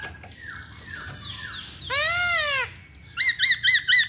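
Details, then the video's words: Masked laughingthrush in active song: a run of falling whistled slurs, then a loud harsh arched squawk with many overtones, then four quick looping upslurred whistles in a row. "Burung Poksay Hongkong Gacor"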